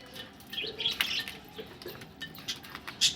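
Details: Budgerigars ready for laying eggs give short, scratchy chirps and quick rising tweets, with a louder squeaky burst near the end over a faint steady hum.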